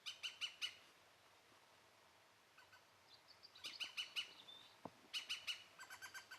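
European green woodpecker giving loud, ringing 'kyu-kyu-kyu' notes in quick bursts of three to six, several bursts spaced a couple of seconds apart.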